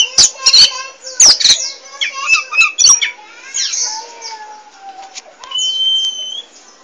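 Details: Oriental magpie-robin of the poci type, a chatty bird singing nonstop: a busy run of varied notes mixing sharp clicks, harsh chatter and short whistles, ending in a long clear steady whistle.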